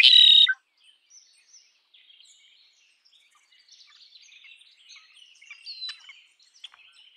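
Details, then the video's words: Red-winged blackbird giving one loud, harsh, buzzy burst in the first half-second, followed by faint scattered chips and twitters from other birds in the background. "Red winged blackbird Sound"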